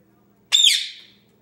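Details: Indian ringneck parakeet, a 10-month-old pet male playing by himself indoors, lets out one loud, shrill squawk that starts high and slides downward, fading over about half a second.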